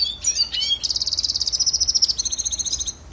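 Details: Red siskin (Spinus cucullatus) training song: a few high sliding chirps, then a long fast buzzy trill of rapidly repeated high notes that runs steadily for about two seconds, ending in a brief pause and a last chirp.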